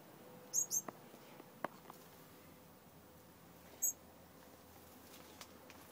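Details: Captive yellow Gouldian finch young that have just started leaving the nest give short, very high squeaky chirps: a quick pair near the start and one more a few seconds later, over quiet indoor background with faint taps.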